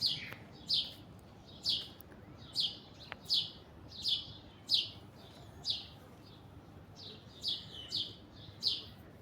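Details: Alexandrine parakeet in an orange tree calling repeatedly: short, raspy, high-pitched screeches, roughly one a second, loose rhythm, with faint background noise.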